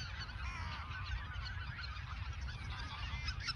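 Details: Many geese honking together in the Ochsenmoor nature reserve, autumn 2022, shortly before migration south; continuous overlapping nasal calls over steady low rumble.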